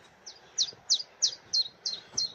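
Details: A wild chiffchaff, one of plenty around, singing from just overhead: seven high, sharp notes in an even series, about three per second, each a quick downward-sweeping chip, over quiet background.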